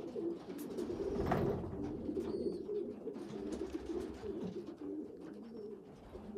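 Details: Young pigeons indoors, a small weak youngster feeding stronger ones; continuous low rumbling coos with a brief louder burst early, a few faint high peeps.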